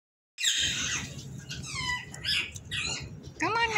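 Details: Parrots: a harsh, broadband squawk opens, followed by a run of stacked, whistled calls that slide downward, then a rising-and-falling harmonic call near the end, over a low background rumble.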